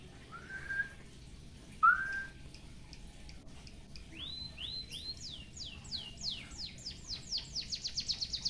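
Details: Captive white-headed munia singing a song with canary-style fill-in phrases, kept for tutoring other songbirds: two short slurred notes, then a long run of rising, sweeping whistles that speeds into a rapid, pulsing trill.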